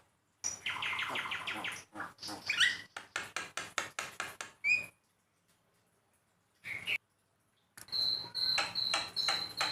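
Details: Master song of a Javan myna for stimulating pet birds to sing: a rapid buzzy trill, a string of sharp clicking notes, a brief whistle, a silent gap, then repeated high piping whistles.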